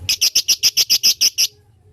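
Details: Lovebird giving a long 'ngetik' typing chatter meant to make other lovebirds answer: about ten sharp, high, identical chirps in a fast even series over one and a half seconds, then quiet.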